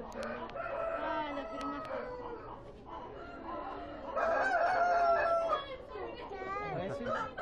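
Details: Several roosters and hens at the Expo Prado 2013 exhibition crowing in the classic style, calls overlapping in a loud chorus, with people talking nearby throughout.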